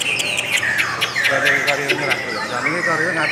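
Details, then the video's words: Lovebird song, long and melodious: continuous stream of shrill chirps, twittering trills and squeaky whistles with steady loudness throughout, dense and unbroken. "LOVE BIRDS suara yang indah dan Panjang"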